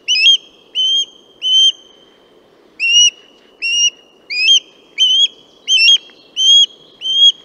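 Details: Western osprey: loud, clear whistled notes in quick repeated bursts, around a dozen in all. A brief gap follows the first three, then the notes resume, some slightly doubled or inflected. Background is quiet.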